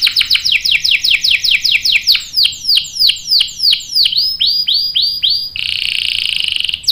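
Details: Canary singing as a lure for other canaries to join in with long rolls: fast descending whistled sweeps slowing into broader rising-falling notes, ending in a dense buzzy trill.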